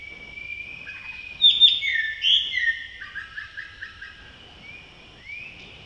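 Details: Male Blue-throated Blue Flycatcher in Tashiding, Sikkim, India, in May: loud high whistled phrase followed by a quick series of about six short descending notes, ending with a soft rising whistle.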